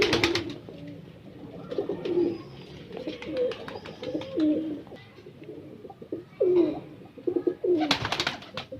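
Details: Breeder pigeons giving low, wavering coos in repeated bursts of about a second, with short bright rustles or wing flaps at the start and near the end.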